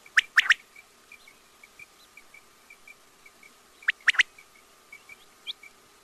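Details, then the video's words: Quail giving two quick bursts of sharp, clipped triple notes about four seconds apart, with soft high chirps between them. "batair ki awaz|quail sounds"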